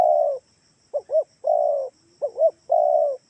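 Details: Spotted dove lure call meant to make doves kept at home call back: paired short arched coos followed by a long, steady, mid-pitched coo, the phrase given twice, with a faint steady high hum behind.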